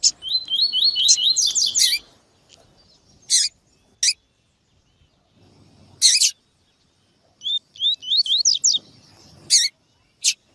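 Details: Double-collared seedeater (Sporophila caerulescens), tui-tui song: warming up caged males to sing.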